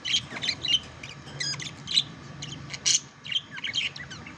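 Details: Courting budgerigars chatter in quick, irregular bursts of high chirps, trills and short squeaky notes, roughly one burst a second, with a soft low hum underneath.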